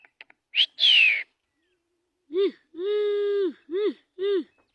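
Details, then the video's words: Javan myna copying human speech: a few clicks, a loud descending whistled squeal, a pause, then four nasal voice-like syllables, the second long and level. "Burung jalak kebu pintar bisa niru suara manusia"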